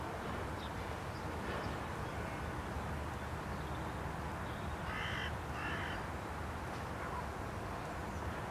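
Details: Carrion crow perched on a post at Aranoltza, Zamudio, Txorierri, Bizkaia, Spain, on 12 June 2020, giving two harsh, hoarse caws about a second apart near the middle of the clip, over steady low rumbling background noise.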